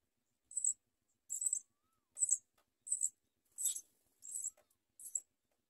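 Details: Nestling house sparrows calling for food as the mother feeds them: seven evenly spaced bursts of high, slightly buzzy chirping, each under a second, with quiet between.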